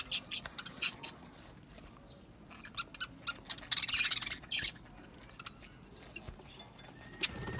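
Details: Australian parrots, budgerigars, singing with scattered soft chirps, then a denser rush of high scratchy warbling around four seconds before fading back to isolated notes.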